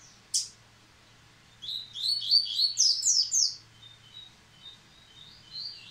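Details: Song of a Yellow-bellied seedeater resuming after its moult: a sharp opening chip, then a lively two-second run of fast, high, rolling twitters, trailing into thin whistled notes.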